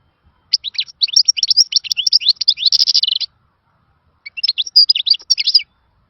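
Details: European goldfinch singing in khalawi style, described as a lost song of former times: a long, lively stream of high twitters and chirps, a pause, then a shorter sparkling phrase.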